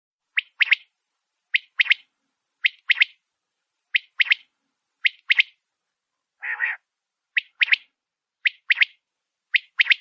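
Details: Quails heard at night, calling in sharp, high, two-note chirps repeated about once a second, with one rougher, buzzier note midway; otherwise quiet.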